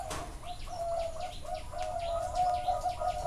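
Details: Live at a bird farm in Chana, Thailand, Zebra doves give fast, pulsing coo phrases, about three notes a second, while other small birds add brief high chirps and a sharp knock sounds at the start.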